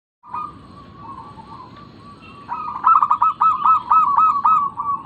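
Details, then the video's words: Local zebra dove, recorded as a lure to get other birds calling: a long soft level tone, then a loud run of rapid stuttering, bubbling coos repeated several times a second. "Pancingan burung perkutut lokal"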